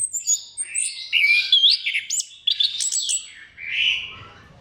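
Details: Orange-headed thrush in strong, energetic song used as a lure for other thrushes: a nonstop rush of high, varied whistles, trills and twittering phrases, ending in a softer buzzy note.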